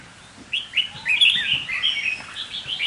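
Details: Caged red-whiskered bulbul used as a decoy: a quick run of bright, slurred whistled notes building into a continuous scratchy warble.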